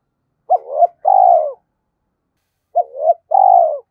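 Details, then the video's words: Decoy spotted dove calling in the thổ voice style. It gives the same two-part call twice, about two seconds apart. Each call is a quick swooping note into a rising tone, then a longer steady coo that drops away. "Chim Cu Mồi thúc và gáy gọi cực đỉnh, gáy gọi hai hậu"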